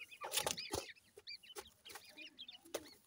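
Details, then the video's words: Several young grey francolin chicks peeping with short, high, down-curving notes in quick succession, with loud thumps and rustling handling noise at the start. "irani teetar bird kay chicks,sindhi teetar ki chicks,teetar baby"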